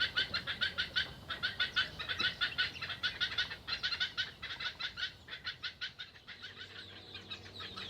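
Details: Two Black-headed Heron chicks in a nest beg loudly while pulling the adult's beak down to force it to regurgitate food: a harsh, clucking chatter of about three rasping bursts a second, kept up almost without pause.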